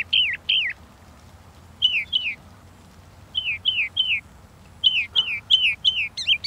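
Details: Northern mockingbird singing loudly and close, looping whistled phrases in bursts of two to four identical notes, switching to a new variant after each burst, ending in a rapid cluster.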